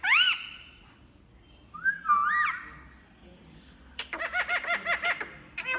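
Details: Green ringneck parrot producing assorted sounds indoors: a swooping whistle, a bending whistled phrase, then a fast stuttering run of squeaky, nasal notes.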